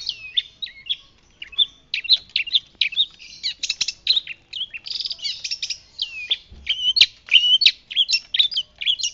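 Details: A white-breasted shrike known as 'pentet laut' in vigorous song, meant to draw replies from other birds. Rapid whistled slurs mix with chattering, buzzy phrases in a continuous flow, with short gaps and a brief low thump.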